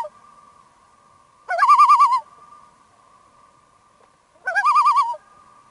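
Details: Common Loon calling on a remote lake deep in Canadian forest, recorded from a boat: two quavering, trilled laughing phrases about three seconds apart, each wavering rapidly at a steady pitch, over a faint continuous hum.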